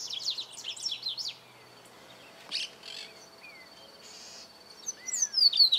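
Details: Double-collared seedeater song, recorded in 2018: a rapid burst of high, sharply modulated notes at the start, then a gap with scattered buzzy noise and soft slurred whistles, ending with another run of bright, fast, high chirps.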